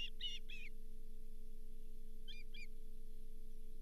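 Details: Osprey at the Charlo nest on 31 July 2023, as the fifth fish of the day, a lake whitefish, arrives. High whistled, downslurred chirps come in a quick burst of three, then a pair, over a steady low electrical hum.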